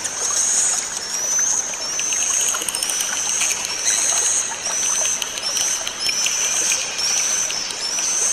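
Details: Swiftlet roosting ('inap') call played to settle and relax swiftlets: high, thin rising chirps repeated roughly every second, over a steady hiss like trickling water.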